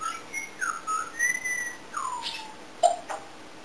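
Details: Pet African grey parrot at home, which mimics many sounds: a soft series of gliding whistles, some rising and some falling, followed by a few faint clicks.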